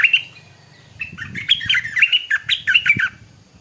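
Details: Morning song of a stripe-throated bulbul: an opening sharp note, a second of quiet, then a lively bubbling phrase of rapid, warbled notes rising and falling for about two seconds, with a faint low rumble beneath.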